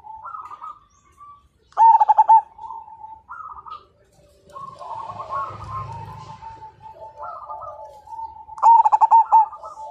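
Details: Singing zebra dove of the Majapahit line, said to draw other birds into song; two strong bursts of quick, pulsing coos, with trilled, rolling phrases from neighbouring doves answering in between.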